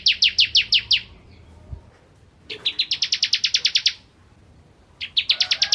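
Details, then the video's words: Bar-winged prinia in energetic song for tutoring white-rumped shamas: a short burst of six clipped notes, then a longer fast trill, and a third trill starting at the end. "Masteran Ciblek Kristal Gacor"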